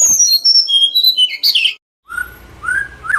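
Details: White-rumped shama singing, used to encourage other shamas to sing. A rapid run of varied high whistles and chirps is followed by a pause, then a few lower, slurred whistles.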